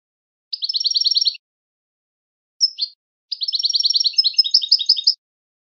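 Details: European goldfinch song used to train goldfinches to sing: two rapid, even trills of high tinkling notes separated by a pause and a single short downslurred note, the second trill breaking into buzzier twitters, with a silent background.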